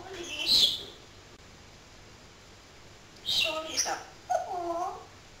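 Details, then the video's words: Chatty pet parrot speaking: one brief, breathy word, a long silence, then two quick word-like phrases with crisp consonants and a gliding, tonal vowel. "BEST TALKING PARROT IN THE WORLD"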